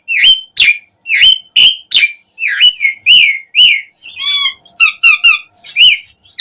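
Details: Energetic song of an Asian pied starling, rich in fill-in notes and used to prompt other starlings to sing: loud repeated whistled upslurs, then a rapid series of higher warbled notes with low whistles beneath.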